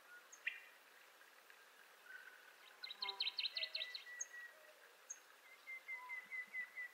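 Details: ['Montezuma quail assembly or territorial call near the end: six or seven whistled notes in a gently descending series, preceded by a fast twittering phrase and scattered high chirps from other birds.']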